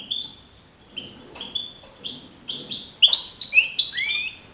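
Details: Young male European goldfinch of wild type, singing-contest champion in Navalcarnero, Spain, April 2012. Softer thin whistled notes build into louder sharp twittering phrases with an upslurred ending.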